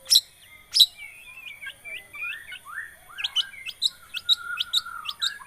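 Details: Long-tailed shrike lure recording, played to set a silent shrike singing: two sharp high chips open, then a run of quick rising and falling twittered notes and short upward slurs, growing busier toward the end.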